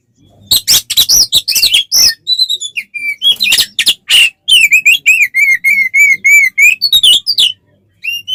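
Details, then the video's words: Fighting song of an oriental magpie-robin used to rile other birds: rapid harsh bursts and whistles, then a steady series of clear repeated wavering whistled notes, ending with scratchy chatter. "SUARA BURUNG kacer gacor NGEPLONG TARUNG konslet paling AMPUH buat PANCINGAN KACER agar EMOSI"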